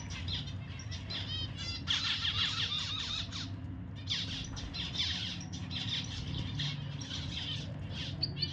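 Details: Pet zebra finches calling: a rapid stream of short, nasal, buzzy chirps and quick repeated notes, several birds overlapping, over a constant rumbling background noise.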